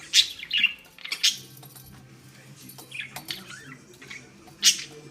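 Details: Angry female budgerigar playing with a ball on a string gives sharp, well-spaced high chirps and a few soft warbling notes over a low indoor hum.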